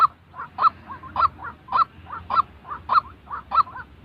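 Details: Harsh waterhen calls for training trapping decoys come in a rapid alternation of loud honks and softer gurgling notes, close to two loud notes a second, with low background noise.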